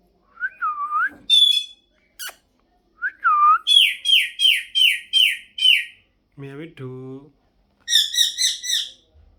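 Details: Talking pet parrot: looping whistled notes, a rapid run of six harsh falling squawks, a lower nasal buzzy phrase, then another fast burst of harsh calls; no clear words.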